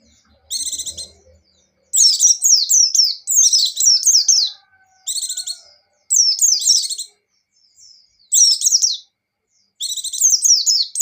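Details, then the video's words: Energetic high-pitched song of a buxtoni white-eye, the style called gacor: repeated one-second bursts of rapid downward-sliding chirps and chatter, separated by brief silences. "Suara Burung Pleci Gacor + Pleci Ngecir"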